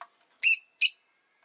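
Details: Rosy-faced lovebird chirping: two loud, harsh, high chirps about 0.4 seconds apart, the first longer, with near silence around them.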